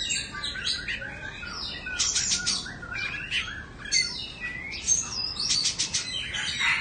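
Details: A two-season caged Oriental magpie-robin of Indonesian origin sings a softer jumble of warbled notes, buzzy bursts and high whistles, varied and continuous.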